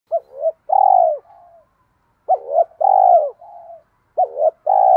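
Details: Spotted dove coos to lure birds: a quick two-part note, then a long loud drawn-out coo falling in pitch, then softer trailing coos, the phrase repeating about every two seconds in a quiet setting.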